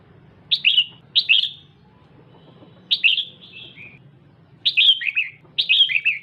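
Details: ['Female red-whiskered bulbul held as a cage bird, calling to provoke a male: lively groups of two to four sharp, falling chirps arriving every second or so, with soft background hum.']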